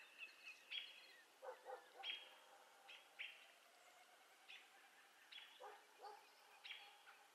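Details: Virginia rail giving harsh, broadband barking notes, singly and in quick pairs, every second or so at irregular spacing. Faint thin, high whistles lie underneath.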